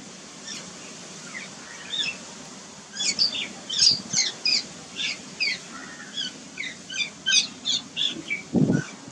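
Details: Harsh, chattering squeaks repeated in a long uneven series from jungle babblers, whose parents guard a fledgling newly out of the nest on a lawn beside an ashok tree; a low thump near the end.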